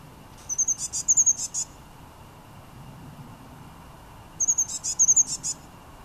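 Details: A blue tit sings in Münchenstein, Switzerland, in January 2013: two short, very high phrases about four seconds apart, thin notes running into a quick silvery trill, over a faint low hum.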